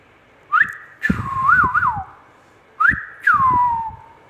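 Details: Indian ringneck parakeet giving two whistled phrases, each opening with a harsh click and a sharp rising note, then a long falling whistle, the first with a double wobble near its end; indoor setting, otherwise quiet.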